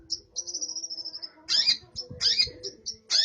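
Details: Long-tailed shrike song imitating burung gereja (sparrow): a thin, high sustained twittering trill followed by harsh, broad chattering bursts and short high chips.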